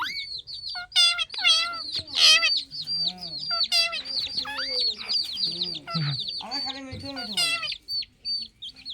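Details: Parrot producing the word "mitthu": a string of harmonic, voice-like squawks and drawn-out nasal syllables with sliding pitch, irregular and sometimes overlapping, interspersed with sharp high chirps.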